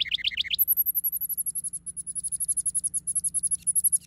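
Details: A male house wren, currently building a nest in a backyard, opens with a quick burst of bubbly, tumbling notes, then a long, very high, rapid trill pulsing about four times a second.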